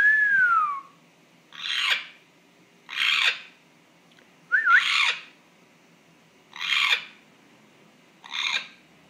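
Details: African grey parrot kept as a pet makes an odd, unexplained noise: a long falling whistle opens, then six harsh, breathy bursts come at about 1.5-second intervals, one with a brief upward whistle.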